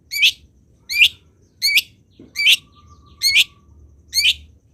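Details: Long-tailed shrike song recorded as a training model for other birds: harsh rasping high notes repeated about every three-quarters of a second, with a faint steady tone in the background.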